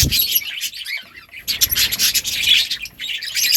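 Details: Budgerigars chirping in a dense high chatter, a brief quieter stretch near the start, then loud overlapping squeaks and warbles.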